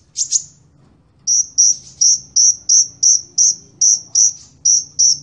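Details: Sunbird giving a short high double chirp, then a steady series of about a dozen sharp, very high chip notes, each roughly a third of a second apart, with a faint low hum underneath.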